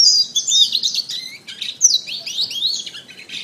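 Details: Canary song meant for training birds, ideally in morning or afternoon: loud rolling trills at the start, then sweeping whistles and quick warbled phrases at a rapid pace.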